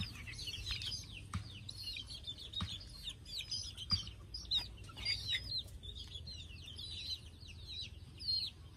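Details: Chicks preparing to sleep keep up a busy chorus of shrill, short peeps, some clearer whistled notes standing out, with a few light knocks and a low hum behind.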